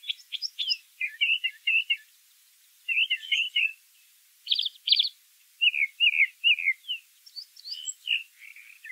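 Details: Brown thrasher singing in nature, with its phrases given in pairs: high chips, doubled rolling notes, buzzy paired bursts and downward slurs, each group separated by brief silences.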